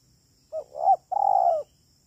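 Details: Spotted dove call of the "kuk 3" type, used as trapping lure: a short coo, a swelling coo, then a long, slightly buzzy, steady cooing note.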